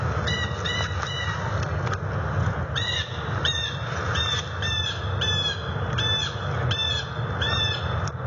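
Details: Bald eagle pair at the NCTC nest on November 19, 2020, readying the nest for the coming season and quarrelling while arranging sticks. High, thin chirping notes come in quick descending bursts, repeated about every half second, over a steady low rumble.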